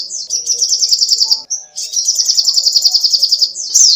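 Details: Sogoh ontong songbird in full song for training caged birds: two fast trills of high, slightly buzzy notes, separated by a thin whistle, ending with a sharper call.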